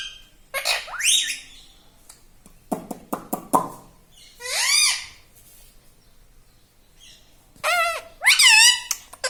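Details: Talking parrot kept as a pet, chattering words like "Mummy" and "Papa"; a rising squeak, a series of sharp taps, one arched nasal syllable, and a final quick wavering burst of squeaky voiced sounds.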